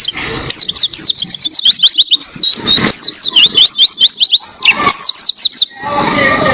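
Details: Tutor recording of Oriental white-eye song for training cage birds: a fast, sustained warble of high, thin whistled notes, many sliding up and down, poured out continuously for about five seconds before stopping into background hiss.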